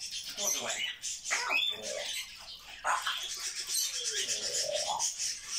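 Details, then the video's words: Talking pet grey parrot chattering all day long, mixing hoarse speech-like phrases, a sharp whistle and low, drawn-out rising vowel sounds near the end. "Жорка говорит нон стопом)) И так целый день!"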